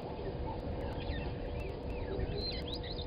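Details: Brown-headed parrots at Gowrie dam waterhole, Djuma Game Reserve, Sabi Sand Wildtuin, South Africa, at 17:24: several short sweeping calls, rising and falling, scattered through the clip over a steady low rumble and a constant hum.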